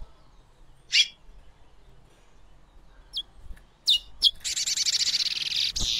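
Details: Female chestnut-bellied seed finch (curió) giving brief, sharp chirps, spaced irregularly and then closer together, followed by a burst of loud, raspy, rustling noise that fills the last two seconds.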